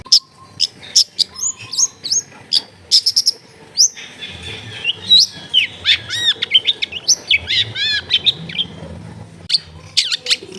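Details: Long-tailed shrike in lively song, used as a lure to start shy shrikes singing, recorded in a crowded neighbourhood: rapid sequence of sharp chips, slurred whistles and arched notes, varied and continuous, with soft low background noise.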